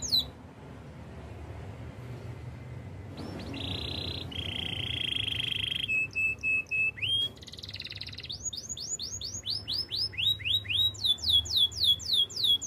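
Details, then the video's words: Canary Spanish Timbrado training song: after a quiet start, a steady metallic trill and a high sustained whistle give way to clipped pulsed notes, then a fast run of bright repeated downslurred whistles near the end. "Canary spanish timbrado song for training"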